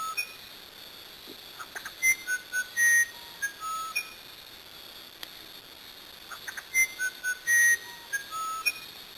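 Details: Musician wren, a Brazilian bird, singing two bursts of mellow whistled notes varying in pitch, mixed with rapid clicks, with a quiet gap between them.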